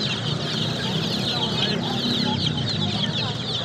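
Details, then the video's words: Many baby chicks peep constantly, with thin high chirps piling over one another in a steady chorus and a low hum running underneath. "Baby Chicks Chirping sound"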